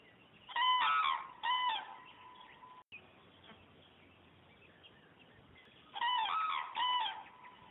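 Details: Departing cranes on the wing utter ringing, bugled calls in short double bursts at the start and again near the end, with a hushed outdoor background between.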